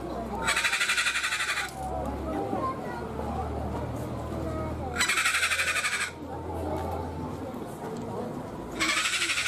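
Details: Captive sulphur-crested cockatoo at Ueno Zoo in Tokyo, Japan, giving three long, harsh, raspy screeches, each about a second long and spaced several seconds apart, over steady visitor chatter and a low hum.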